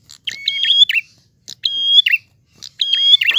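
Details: Prinia giving three quick phrases of its clear 'ngalun' song, each phrase made of held level whistles at two pitches followed by a buzzy, twisting flourish, with near silence in between.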